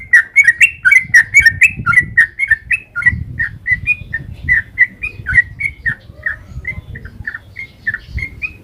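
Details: Trucukan, the sooty-headed bulbul, singing its long 'ropel' lure song to make other birds answer: loud quick whistled notes at first, gradually growing softer and more spaced, with steady low rumbling noise throughout.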